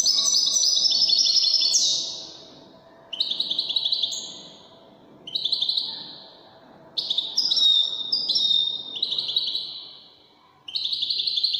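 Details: European goldfinch performing wedani-style Moroccan song: about six separate high phrases of fast tinkling trills, buzzy rolls and sliding whistles, each lasting one to two seconds, broken by brief pauses.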